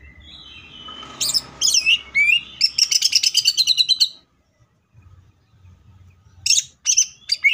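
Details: Greater green leafbird in full tembakan song: a faint whistle, swooping notes, a long fast buzzing rattle of bright repeated notes, silence, then a few sharp chips.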